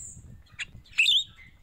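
A Red-rumped Myna gives a brief buzzy chirp, then a loud, sharp whistled phrase that slides up and down, with a thin high tone and faint background hiss.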